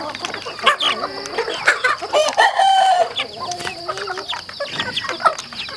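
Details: Farm chickens clucking while eating, with many overlapping short clucks and a few drawn-out rising and falling squawks, plus a steady high background hum and pecking clicks.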